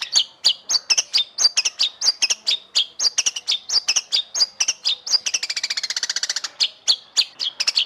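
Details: White-rumped shama (Indonesian murai batu) singing a masteran tutor song of the kind contest judges favour: quick sharp chirps and slurred whistles high in pitch, many notes per second, then a fast buzzy trill near the end.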